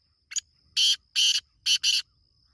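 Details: Black francolin calling, a short scratchy lead note followed by four loud, rasping, broadband notes, the final pair run together, with a thin constant high hum behind.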